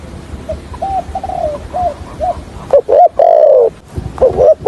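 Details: Spotted dove decoy for trapping, giving a stuttering call and coo in the deep 'hạp bổi' style: a string of faint short coos, then a loud burst and a long falling coo, followed by softer arched notes.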